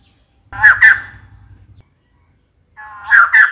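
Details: Female white-crested laughingthrush calling to attract a mate: two harsh, cackling bursts over a low hum, a silent gap, then another pair of rough, squawking notes.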